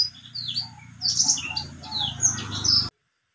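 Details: Captive white-rumped seedeater song: high sweet twitters and whistled slurs over a steady low hum, ending abruptly in silence.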